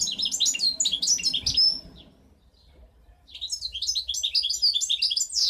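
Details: Goldfinch hybrid (mixto jilguero), 2015 bird, delivering rapid, high twittering phrases with chirps and trills, a pause midway, then a second lively burst of song.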